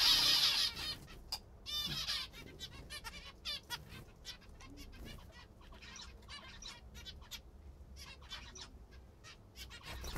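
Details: Pet zebra finches feeding on a favourite food: wing flaps open the recording, then dense, overlapping short nasal calls repeat rapidly throughout.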